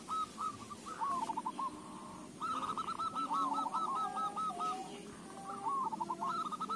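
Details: Zebra dove song used to set other doves singing: several overlapping doves give rolling strings of soft, hooked coos against steady background hiss.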